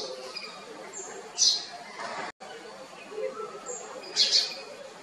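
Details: A house sparrow in Kotte, Colombo District, Sri Lanka, gives two bright, harsh chirps about three seconds apart over busy distant chatter and faint bird calls.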